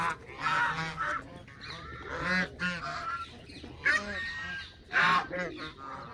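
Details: Canada geese calling together, harsh overlapping honks from several birds rising and falling in bursts roughly every second, a busy flock chorus.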